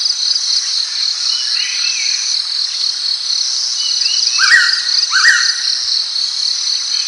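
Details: Pitta heard midway with a double whistle, each note rising sharply then holding steady, the two close together. A continuous high buzzing of insects fills the background, with a few faint bird notes.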